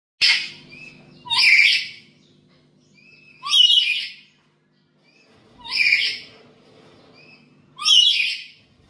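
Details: Black-capped lory kept at home, a vocal bird recorded as a lure and tutor track: five harsh, broadband screeches, each about half a second long, come roughly every two seconds. Short, softer whistled notes sound between them.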